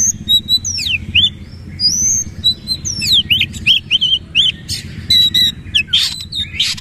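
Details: Oriental magpie-robin delivering powerful bursts of song while bowing: clear, ringing whistles that rise and fall, long sustained high notes, then a fast series of looping slurred phrases and a few scratchy notes.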